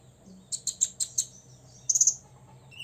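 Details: Olive-backed sunbird, a six-year-old caged songbird kept to provoke rivals, giving five quick high chips near half-second spacing, then a tight burst of three or four shrill notes after a pause, ending on a lower thin note.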